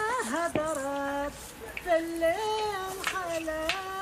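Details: A voice sings gliding, wavering phrases in a small room, with a sharp tap partway through; no animal sound.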